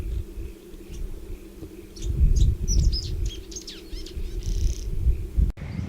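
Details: Welcome swallow giving several of its calls: quick bursts of thin, high chirps and twitters tumbling together over a few seconds, with steady low rumbling and wind noise underneath.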